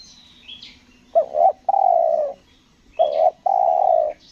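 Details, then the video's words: Spotted dove (tekukur) during a luring session on Lombok, coo style called selang nguku gagap: two hoarse, husky phrases, a short stuttered double note then a longer drawn-out coo, repeated; faint thin chirps of small birds above. "PIKAT TEKUKUR SELANG NGUKU GAGAP"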